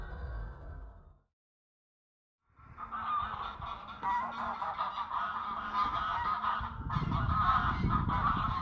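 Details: Grey and Canada geese fighting on water: after a short burst and a silent gap, a dense, continuous chorus of harsh, overlapping honks builds and grows louder toward the end.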